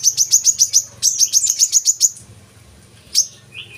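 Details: Brown-throated sunbird song played to encourage caged birds to sing: two quick runs of bright high chirps, then near quiet with a single sharp note and a soft lower trill.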